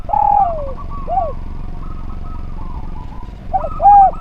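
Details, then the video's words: Melodious spotted dove (derkuku) song for training other birds; a long falling croon and short coo, a pause with faint cooing, then another loud phrase beginning, over a low steady rumble. "Derkuku Gacor Suara Nglaras, Masteran Derkuku Paling Top Cer"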